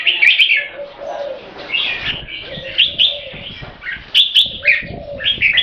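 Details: Caged Thai red-whiskered bulbul of champion competition bloodline giving keke calls: clipped, bright chatters in separate bursts over steady low cooing and some background rumble.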